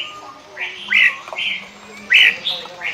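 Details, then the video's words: Sooty-headed bulbul, called kutilang, in lure singing (pikat gacor): a handful of short, slurred whistles, some rising and some falling, spaced irregularly across three seconds against a noticeable hissy background. "Burung kutilang pikat gacor isian fulll"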